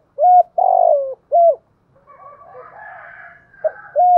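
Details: Male and female spotted doves used as decoys, calling in the morning to lure wild doves; three short low coos, the middle one drawn out, then a gap with faint higher chatter, then two more coos.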